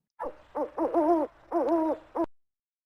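An owl gives five hollow, wavering hoots in about two seconds. The notes come in uneven bursts, some short and some drawn out, with nothing else heard.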